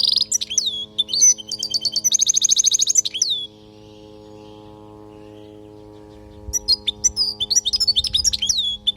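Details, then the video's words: Goldfinch song recorded in Palestine for tutoring young goldfinches: about three seconds of bright twittering and a fast metallic rattle, then near silence for three seconds, then renewed rapid chirping twitter. "حسون لغة للتعليم"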